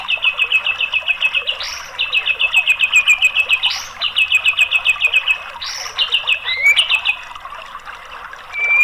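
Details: White-rumped shama song meant to coax a mute bird into singing, showing its mimicked filler phrases: fast high chattering series of rapidly repeated notes, broken by short harsh rasps roughly every two seconds, ending in a rising whistle.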